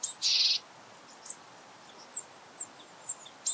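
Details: Japanese Tit giving a harsh, buzzy high call lasting about a third of a second, followed by thin, very high call notes roughly every half second, recorded at very close range.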